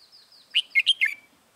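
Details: Red-whiskered bulbul from Dong Nai, Vietnam, recorded 21 January 2018 while singing as a decoy to lure wild birds: a thin whistled lead-in followed by four loud, rich warbled notes in quick succession.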